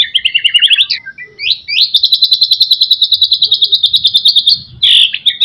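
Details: White-rumped shama singing borrowed phrases, used to stimulate other shamas: quick chattering notes stepping up in pitch, then a long even rapid high trill, ending with a harsh burst and a few scattered notes.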